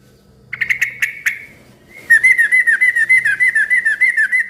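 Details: Noisy yellow-vented bulbul song used to make other bulbuls reply. A few sharp clicking chirps give way to a fast, steady series of rising whistled notes, about three per second, loud and continuous to the end.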